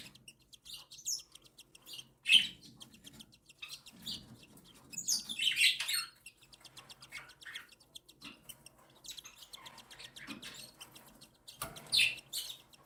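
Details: Cockatiel chicks aged one and seven days begging while their mother feeds them gently: high buzzy rasping squeals in bursts, with soft rustling and faint chirps between.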